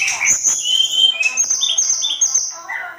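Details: Sunda robin masteran tutor recording of energetic singing: a string of high, pure whistled notes, some held steady and some stepping down, delivered rapidly one after another with brief buzzy accents.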